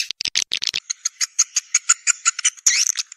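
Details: Swiftlet lure sound meant to call birds into swiftlet houses to roost: a quick clatter of rough chips, then a steady series of thin, evenly spaced high ticks, and a final rasping burst.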